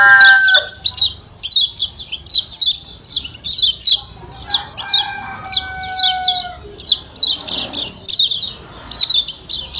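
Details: Lombok white-eye (kecial kuning) with the 'ciak ciak' call: rapid high downslurred chirps in irregular pairs and triplets over ten seconds. A long steady tonal whistle is heard in the middle.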